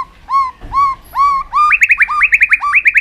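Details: White-rumped shama in aggressive tail-flicking display to stir other birds: three arched whistles, then a quickening series of rising two-part notes that climb in pitch and run together into a fast, ringing chatter.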